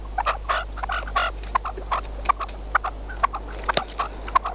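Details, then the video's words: Caged decoy red-legged partridge used for partridge hunting in Spain, calling in bursts of short harsh notes around one to two kilohertz-range pitch, some grouped chuffing phrases and sharp clicks between, steady low hum behind. "Perdiz con reclamo"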